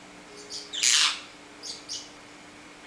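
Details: Hand-tamed pet parrots kept together indoors with a three-week-old baby; one loud harsh squawk near one second, framed by a few short high chirps, over a steady low hum.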